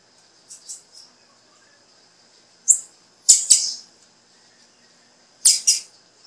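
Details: Female blue-black grassquit call to get a male singing: soft high chips at first, then loud, sharp paired chips after a short pause, ending with another strong double.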